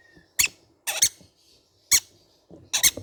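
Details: Rapid harsh squeals from young green-cheeked conure parrots, five loud bursts within three seconds, several broken into double notes. A soft murmur sits beneath them.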